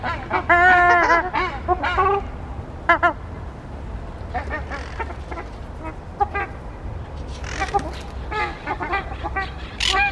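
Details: Ruddy shelduck of a breeding pair giving loud, nasal, honking squawks in quick bursts, strongest in the first three seconds, with scattered calls later over a low background rumble.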